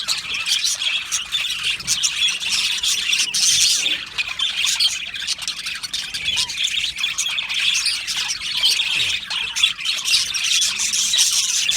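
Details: Budgerigars from an Australian aviary colony keep up a long unbroken chorus of chirps, squawks and warbled chatter, loudness rising and falling as birds join in.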